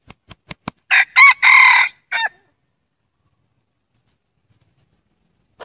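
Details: Crowing by a male red junglefowl decoy meant to attract wild junglefowl. Four dry clicks come first, then a strident four-syllable crow with a drawn-out central note and an abrupt closing note. Silence follows.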